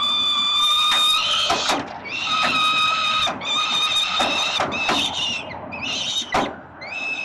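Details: Peregrine falcon chicks begging while their father feeds them at a nest on 367 Collins Street, Melbourne, Australia, 30 October 2021: loud, shrill, harmonic wailing cries, overlapping and repeated in rapid bursts with brief gaps.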